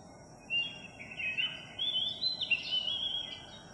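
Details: Philippine magpie-robin singing in a village on July 3, 2021, one of a skittish flock that had just arrived; a run of varied whistled notes, some rising and some falling, linked into a flowing phrase over a steady background hiss.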